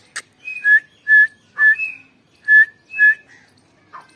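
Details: Female grey francolin on 29 November 2022 uttering a quick run of loud whistles, about two per second, some paired with a slightly higher slurred note, opened and closed by brief clicks.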